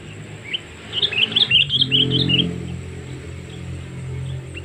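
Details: Sooty-headed bulbul lure call for attracting wild birds: a rapid run of bright chirps and warbled notes for about a second and a half, followed by rumbling low noise and faint further chirps.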